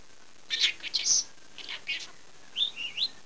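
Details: A male pet budgerigar talks in quick, scratchy speech-like bursts mixed with high chirps and whistles.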